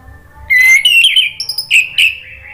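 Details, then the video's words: Orange-headed thrush in gacor ngeplong song, played to coax a bird into singing: a loud rising whistle leads into a run of quick chirps and short notes, then two more strong whistled notes over faint low hum. "PANCINGAN ANIS MERAH agar BUNYI jadi NYAUT GACOR NGEPLONG"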